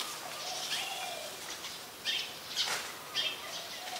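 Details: Brown-throated sunbird, Ubon Ratchathani, Thailand, 15 January 2021: three or four crisp, high chirps about half a second apart over a hissy background with faint lower bird whistles.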